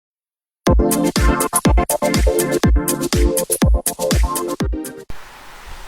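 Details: Loud electronic dance beat with punchy bass kicks and synth chords after a short silence, cutting off near five seconds into a soft hiss; no animal calls are heard.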